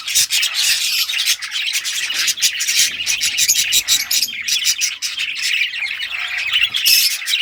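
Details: Budgerigars of various rare colours playing with toys, June 2023; a steady, busy wall of high scratchy chirps and warbles from many birds, barely pausing across the whole stretch.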